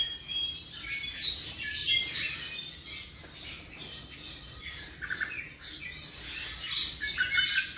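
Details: A tropical mockingbird of about 7 months gives a softer, more distant-sounding stream of quick mixed chirps and short buzzy phrases.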